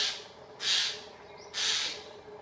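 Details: Eurasian jays mobbing an eagle owl in Dannenberg (Elbe), Germany, 31 May 2024, giving harsh, rasping screeches, three in quick succession about a second apart, with a faint soft call between; the owl fled after two minutes.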